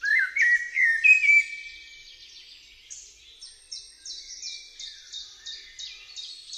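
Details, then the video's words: Eurasian blackbird singing: a low, fluting warbled phrase opens, then gives way to a long series of thin, high, squeaky twitters repeated several times a second. The background is otherwise quiet. "Turdus merula"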